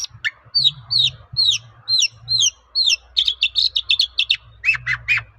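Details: Shrike song serving as a lure to prompt replies from other shrikes: clear downslurred whistles repeated about every half second, followed by fast chattering notes and harsh bursts.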